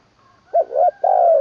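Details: Spotted dove decoy bird in its third training session in Isan, Thailand, singing in the full middle-voice style with low-ending crow: three short, mellow coos, the last long and drawn out, low-pitched and clear.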